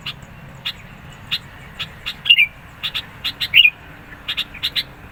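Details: Persistent sooty-headed bulbul song meant to provoke rivals and attract birds: rapid sharp chip notes repeated irregularly, broken twice by short twisting whistled phrases.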